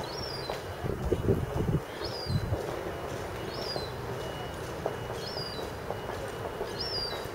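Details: A young seabird calling again and again while nobody comes: a thin high whistle that rises and then slurs down, given five times at about one-second intervals over low rumbling background noise and a few soft knocks.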